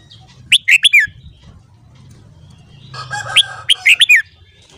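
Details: Red-whiskered bulbul in morning song, two phrases of four rapid, warbling whistles with downward-slurred endings; a brief noisy chatter precedes the second phrase, above a low hum.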